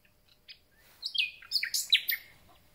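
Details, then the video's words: A newly arrived common nightingale sings in spring, a quick phrase of varied high notes: a few soft opening chirps, then a tumbling burst of sharp whistles and chips, in quiet surroundings. "Słowik rdzawy i jego piękny śpiew"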